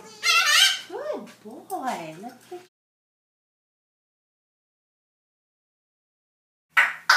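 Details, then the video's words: Gus, a pet male African grey parrot, talks in sliding, voice-like phrases with rising and falling tones for about two seconds, then a short final burst, after being asked to say "cheese, please"; he also sings Hallelujah in the video. "African Grey Bird sings Hallaluhja and Prays"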